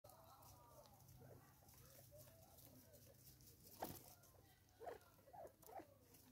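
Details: Natal spurfowl, one of six competing over food in South Africa, 2024, giving a few short, low clucking notes in quick bursts near the end, over a soft rustling background.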